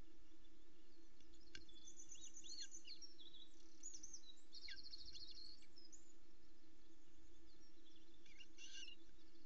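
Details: Osprey chicks at an early morning feed on a nest at Loch Arkaig; thin, high whistled chirps come in short runs and trills, with a steady low hum underneath throughout.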